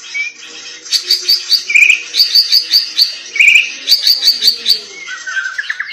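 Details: White-rumped shama singing insistently; quick high chirped notes repeated in rhythmic groups, mixed with short lower warbles and a closing slurred whistle.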